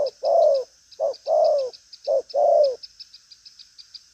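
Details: Brief burst from a spotted dove called 'đồng pha chân cua', strong-voiced and bustling, giving trailing urging coos: three short-then-long low coo pairs, the long note falling away, then only a thin high insect chirping.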